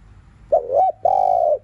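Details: Spotted dove cooing in the afternoon in the 'thúc liu riu' style, used to rouse other caged doves: a short wavering note, a brief pause, then a long steady low coo.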